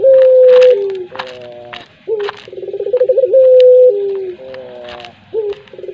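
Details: Collared dove of the puter pelung style repeating its cooing phrase: a long, level held note drops to a lower one, then quick rising hiccups and a bubbling trill. Faint clicks and rustles are heard between the phrases.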